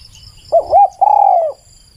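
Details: Spotted dove cooing: a short rising-falling note, a second arched coo, then a longer steady low coo that slowly drops, all clear and mid-low in pitch over a quiet background.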